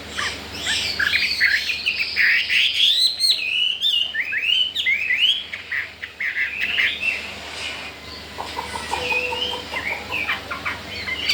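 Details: Wild-caught Chinese hwamei, a new arrival in a cage, unafraid of the household birds and keen to breed, delivers a dense varied stream of whistles and chattering notes, fading to sparser phrases.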